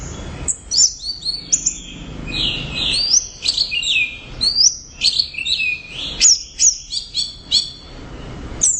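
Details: Loud, continuous orange-headed thrush song in 'gacor' style: bright rising and falling whistles mixed with quick chips and trilled bursts, delivered in tight varied phrases with barely a break.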